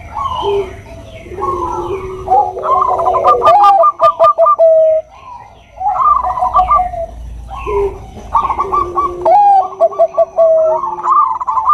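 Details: Bangkok-type zebra dove song, a female calling a male: layered mellow coos from more than one voice, broken by bursts of rapid staccato notes and sharp clicks, with short pauses between phrases.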